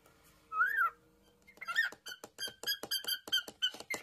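A cockatiel sings a rising-falling whistle, then a rapid string of short chirping notes.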